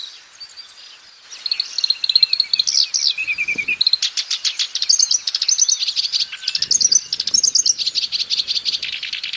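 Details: Black-browed reed warbler singing freely in the wild, a varied song opening with warbled phrases and a lower falling whistle, then long runs of rapid, harsh, repeated high notes.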